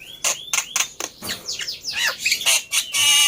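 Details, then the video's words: Black-winged myna lure song meant to make a quiet bird answer: rising whistled notes, then a tumble of scratchy, descending squeaks and a final loud hissing rasp. "Tes Dengan Suara Pancingan Burung Jalak Putih Ini Di Jamin Nyaut"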